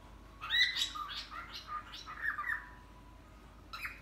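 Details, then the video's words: Pet cockatiel talking, mimicking "Hare Krishna": a string of soft, rasping, speech-like syllables rising and falling in pitch over a few seconds, then a short sharp chirp, over a constant background hum. "My Cocktail Says “Hare Krishna” !!"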